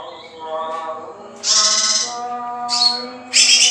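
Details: Song of a young male lesser green leafbird: short bursts of high, harsh, chattering notes separated by quieter gaps, the loudest bursts coming in about a second apart, over a steady faint background hum.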